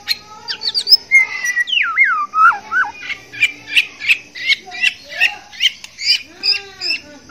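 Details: White-rumped shama male in breeding condition, courting a female, gives looping whistled phrases and wavering slides, then a regular train of sharp repeated notes about twice a second, with a faint high hiss behind.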